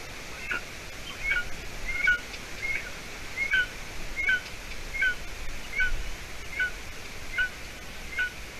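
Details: Young golden eagle, 53 days old, at its nest in Latvia on 30 June 2020 near 6:20 p.m.; roughly twelve high, whistled two-part chirps repeated about every three-quarters of a second.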